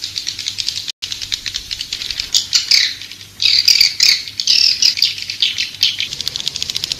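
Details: Edible-nest swiftlet lure recording of the 'Raja Liur Emas' kind, for attracting swiftlets to a nesting house: continuous soft high twittering that swells into louder chattering clusters midway, with a steady faint ticking throughout.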